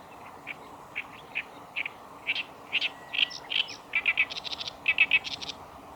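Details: Song of a black-browed reed warbler recorded on 15 July 2019 at the Kita-Fuji training area in Japan: repeated short chirps building into rapid trilled chattering bursts, with a constant low background hiss.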